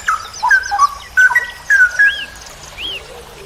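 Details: Straw-headed bulbul in a masteran tutoring recording for hobbyist songbirds. Liquid whistled notes slur downward in quick groups, followed by two soft rising-falling higher whistles, over light background hiss.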